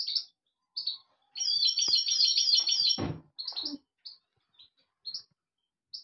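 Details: Song of a European goldfinch: a rapid liquid trilled phrase of over a second, then spaced single high chirps repeated every half second or so, with one brief low rustle.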